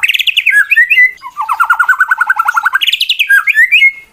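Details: Male competition white-rumped shama singing a fighting song meant to provoke and anger rival birds: loud varied phrases of harsh buzzy chattering, a rapid run of repeated clipped notes, and sharp rising whistles, with no other clear sounds.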